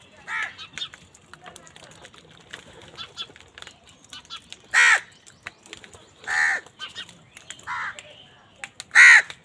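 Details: Crows fighting over food give loud, harsh caws, four strong bursts at uneven gaps with quieter caws and clicks between them.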